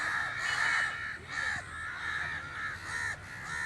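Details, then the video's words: {'text': 'Several crows cawing together in a dense, overlapping chorus of rasping calls with hardly a pause between them.'} "The amazing birds natural crow sound"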